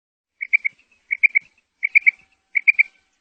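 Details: Female quail calling, played to lure quail for hunting: clean groups of three short, clear whistled notes, each group repeated about every 0.7 seconds, over a silent background.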